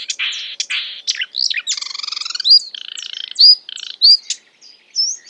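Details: Marsh warbler (Acrocephalus palustris) singing while imitating other birds: a fast, varied medley of short quoted phrases, including harsh chattering, a nasal rattling burst, and bright upslurred whistles, changing every fraction of a second.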